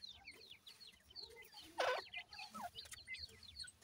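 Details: Captive francolin chicks kept and fed by hand: a busy overlapping chorus of thin, short upslurred peeps, with a louder clattering rustle just before the two-second mark.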